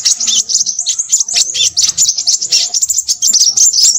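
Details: Noisy, busy singing of a Crimson sunbird: continuous high-pitched chattering twitters tumbling quickly one after another for four seconds, thin and sibilant, with a faint low murmur underneath.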